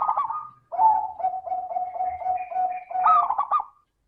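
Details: Crystal-voiced lure song of a local zebra dove meant to start reluctant doves cooing: a rolled note, a run of rapid pulsed beats on a level pitch, then a final loud rolling phrase.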